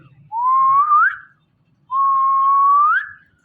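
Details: Morning calls from a pet male and female Indian ringneck parrot pair perched on a door: two long, pure whistled notes, each holding steady then sweeping upward at the end, separated by a short silence.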